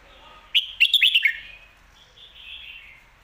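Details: Contest Red-whiskered bulbul clearly singing the lak wai and mae bot styles alternately, giving a sharp phrase of four bright, rapid notes that slide downward, then a lower, gentle warbling tail.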